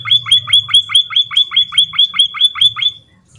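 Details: Emprit kaji in lively song: a steady series of loud, sharp, downslurred whistled notes, about four a second, ending after three seconds, over a faint low hum.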